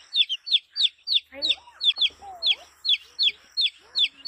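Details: Colorful chick, a healthy baby hen, chirping: sharp high peeps that slide downward, repeated about three times a second, over softer, lower gliding and clucking sounds in the background.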